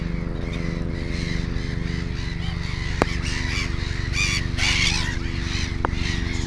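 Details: Black-headed gull at a nest holding two chicks gives a burst of harsh, grating squawks late in the recording, over a constant chorus of other gulls, a low hum and two brief clicks.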